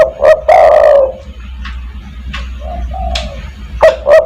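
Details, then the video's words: Spotted dove calling to attract others: two quick hoots and a long loud coo, faint coos and brief distant notes in between, then two more hoots at the end. "burung DERKUKU tekukur master gacor kuk 1 sangat mewah untuk memanggil teman"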